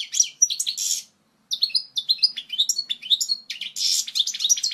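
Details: Goldfinch pouring out strong, pure song intended to teach young birds: jerky chirps and buzzy bursts, a silent gap just after one second, then scattered twittering notes and a dense buzzy burst.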